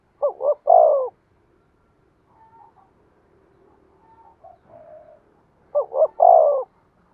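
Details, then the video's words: Lure call of a spotted dove to make wild birds coo: two phrases of a short double hoot and a drawn-out coo, about five seconds apart, with faint low murmuring calls in between. "tiếng cu mồi thúc bổi"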